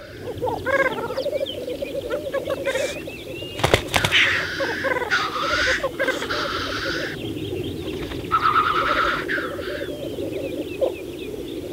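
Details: Black grouse lek on Saaremaa in spring 2014. Crowded display with several overlapping hissing sneezes, a sharp click, a thin whistled note and low bubbling beneath.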